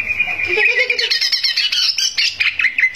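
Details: Greater green leafbird singing vigorously to provoke rivals: a rapid stream of squeaky, slurred whistles and chattering notes, closing with short downward-swooping phrases.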